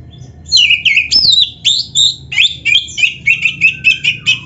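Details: Oriental magpie-robin, black-breasted kacer, singing a rich medley: swooping whistles and a buzzy rattle, then a regular run of short, sharp repeated notes about four per second.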